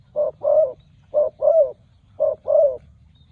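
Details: Young spotted dove on its first visit to the competition ground during training, repeating a short coo followed by a longer one three times in a calm, even rhythm.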